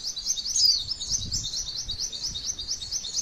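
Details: Rapid high-pitched twittering from a female white-eye, a tutor recording used to draw song from other birds; tightly packed repeated notes run continuously, with one brighter squeaky note early on.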